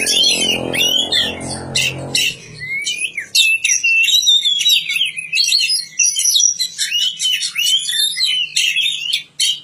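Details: Oriental magpie-robin singing: a rapid, continuous run of varied high whistles, slurred up- and down-sweeping notes and short chirps with brief pauses, over a low rumbling hum during the first two seconds.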